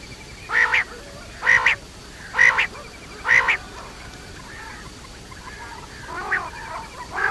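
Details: Quail, locally called batair: four nasal, harmonic calls evenly spaced about one second apart, followed by fainter, softer calls near the end over a quiet background hiss.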